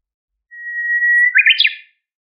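A Japanese bush warbler gives its classic song: a long, steady whistled note followed by a quick, rising two-part flourish, with no other sounds.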